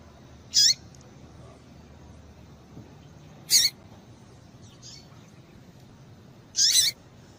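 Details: Calls of a female Yellow-bellied Seedeater, meant to excite males: three loud, high, clipped notes roughly three seconds apart, one faint note between them, and a low steady background hiss.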